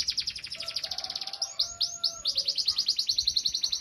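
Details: Canary training song for young birds and those gone quiet: fast high trills break into a few slower, upward-swept whistled notes, then resume as quick repeated chirps; faint lower steady whistles sound underneath early on.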